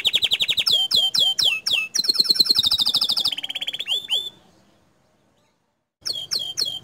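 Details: Canary singing vigorously, meant to set other canaries singing: a loud series of rapid sweeping notes and buzzy rolled trills, then a pause and a few more sharp downslurred notes.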